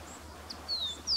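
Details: An adult wren-like rushbird in Chubut, Patagonia, Argentina, in December 2021, gives a thin, high note that slides downward, then starts a second bright note at the end, over a faint low hum.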